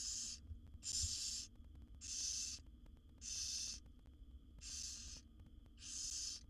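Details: Seven wild barn owl chicks in a nest box beg as the mother brings food; regular breathy hissing snores, each about half a second, repeated about once a second in a steady series over faint low rumble.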